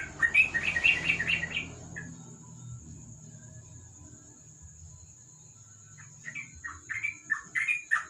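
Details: Sooty-headed bulbul singing at night under a lamp: short bubbly whistled phrases around two seconds long, then quiet, then a fresh run of chirpy notes, with a steady high electrical whine and low hum behind.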